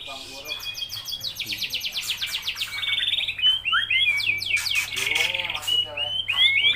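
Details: Greater green leafbird, a kept songbird singing vigorously: a fast, dense run of rapid buzzy trills and repeated chirps that gives way to sweeping, slurred whistles and rich warbled phrases, high-pitched and nearly continuous throughout.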